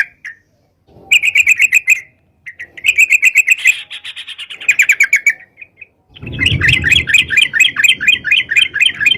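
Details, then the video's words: Sooty-headed bulbul in lively ropalan-style song, offered as a lure for catching birds: bursts of rapid, chattering notes repeated in runs separated by short pauses, ending in a longer, denser rippling phrase over faint low rumble. "suara crucukan gacor bisa buat pikat"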